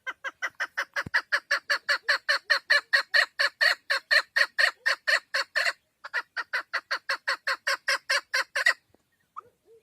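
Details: Hunting female chukar partridge calling in a long, steady stream of loud, raspy chuck notes, about four each second, briefly pausing midway before resuming, then stopping with a couple of quiet trailing notes.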